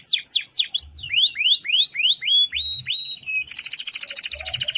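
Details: Singing canary, long-roll song for daily tutoring of other birds: a series of rising whistled slurs repeated roughly three times a second, flattening into level tones, then shifting into a fast, buzzy rolling trill.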